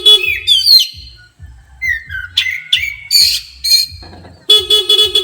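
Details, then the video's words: Highly agitated Oriental magpie-robin singing after being provoked by a horn: loud, varied whistled phrases with sharp rising and falling sweeps and scratchy notes, over a steady low rhythmic music beat with brief human voices. "Kacer emosi tingkat tinggi di klakson langsung emosi"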